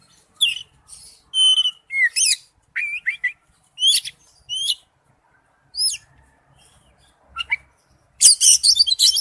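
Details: Oriental magpie-robin lure song, ringtone: spaced sweet whistles, rising and falling slurs and sharp upward sweeps with pauses between, ending in a loud rapid chattering burst.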